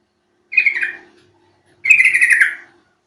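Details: Yellow-vented Bulbul call used as a lure to set birds singing: a short gurgling note followed after a brief gap by a longer, rapidly pulsing bubbly phrase that drops slightly at the end.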